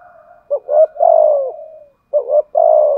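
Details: Spotted dove used as a decoy, 'giọng thổ' voice, giving 'thúc gù' coos. Two phrases, each a pair of short throaty notes and then a long sustained coo that slowly sinks, with a quiet hum before the first.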